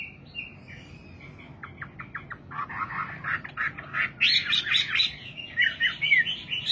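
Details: Nightingale singing: a soft opening whistle, then quick clicking trills around two seconds, building into loud, varied, rapid phrases of sharp notes and chirps in the final seconds.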